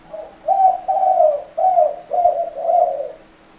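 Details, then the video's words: Spotted dove delivering a steady series of five warm, hollow cooing notes, each about half a second long, with a faint background hum. "Tổng hợp tiếng chim cu gáy"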